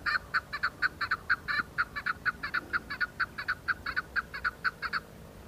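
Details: Chukar partridges in the hills of Budgam, Kashmir, recorded October 2021, give an unbroken rhythmic chatter of hard, clucking notes, some paired, repeated several times a second against a quiet background.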